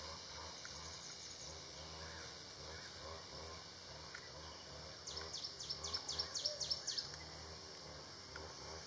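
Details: A black baza at its nest in Phetchaburi, Thailand, on 20 May 2017 gives a quick burst of about seven high, thin, squealing notes over two seconds, over a steady insect hiss and faint low rumble.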